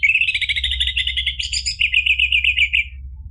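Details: Dense, continuous orange-headed thrush song used as therapy for birds that have stopped singing, a rapid chattering stream of high, tightly packed notes lasting about three seconds, with low hum underneath.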